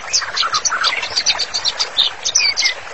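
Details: White-rumped shama singing energetically, as master song for therapy: blurred mix of high chirps, short whistles and low warbled notes, with a few brief clear falling whistles late on.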